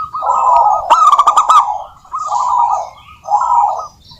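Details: Native zebra dove song used as a lure to set other doves singing: a run of soft, rapidly pulsed coos, broken by a burst of loud clicks, then two shorter cooing trills.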